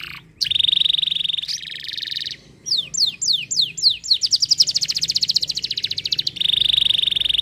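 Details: Singing canary moving from a fast, level high trill into a buzzier phrase, then falling whistled notes that quicken into a rapid rattle, ending in another steady trill.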